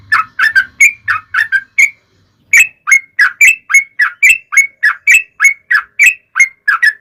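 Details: Long, lively yellow-vented bulbul song used to coax other bulbuls into singing, a fast run of short liquid whistled notes with a brief pause near two seconds, then resuming steadily.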